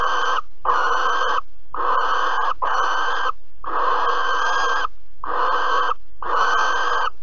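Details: During prey delivery of a mouse and mating at Alphen in April 2020, a barn owl repeats coarse, breathy screeches in a series of eight, each under a second long.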